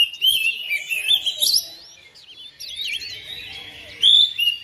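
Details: Domestic oriental magpie-robin answering another bird within seconds: loud twittering and whistled slurs, a softer stretch in the middle with scattered notes, then a strong burst of song at the end.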